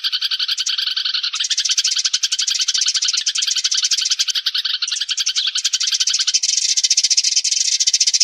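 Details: Sparrows calling to gather the flock, used as trapping lure audio: a steady mass of fast, busy chirps, shifting to higher, thinner chatter toward the end.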